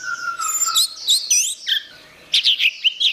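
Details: Orange-headed thrush delivering quick, high, mimicking-style phrases of slurred whistles and chirps over a long thin whistled note, a short pause, then another burst of loud, rapid notes.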